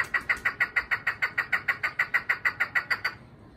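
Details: Chukar partridge kept for hunting: a steady series of harsh, chuckling notes, about three per second, fading out near the end, over faint low background noise.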